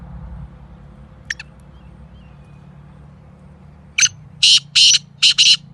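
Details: Black francolin, kept bird, with one faint short note early, then a loud grating call of four to five rough, clipped bursts in rapid sequence against low background hum.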